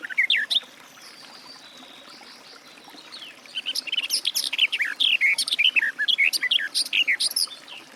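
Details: Garden warbler (Sylvia borin) song: after a few opening notes and a quiet stretch, a fast, continuous run of bright, varied warbling chirps builds and carries to the end.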